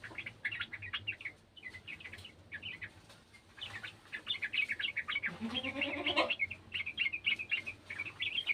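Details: Garden sooty-headed bulbul answering an untrained bird's calls. Bursts of short, bright chirps, with a rising harmonic sweep near the end. A low hum runs underneath.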